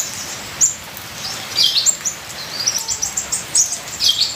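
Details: Ninja sunbird song with full fills for training cage birds: sparse, piercing, high chirps that grow busier toward the end, over a steady trickling-rain hiss.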